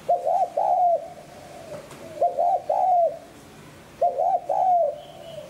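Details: Spotted dove in the 'hạp bổi sát bổi' voice style used to rouse decoy birds. Three mellow phrases come roughly every two seconds, each two short hooting notes followed by a drawn-out falling croo.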